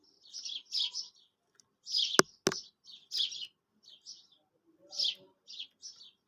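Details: Quail calling, recorded for trapping: clustered high chirping notes in short bursts, interrupted by two loud sharp clicks.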